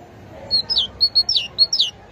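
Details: Great tit giving a short phrase of high notes, some level whistles and some sliding downward, about seven notes in quick succession over a light background hiss.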